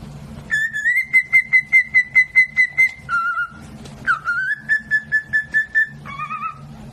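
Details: Cockatiel whistling a tune from a Mozart opera: clear, pure whistled notes pulsed in rapid even beats on a steady pitch, then a lower held note, a dip-and-rise phrase and a final lower note, over a low background hum.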